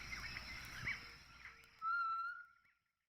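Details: Rufescent tinamou calling from the brushy woodland floor in Sumidero Canyon, Chiapas, Mexico: a single pure, steady, mid-pitched, haunting metallic whistle under a second long, with faint hiss and soft bird notes before it.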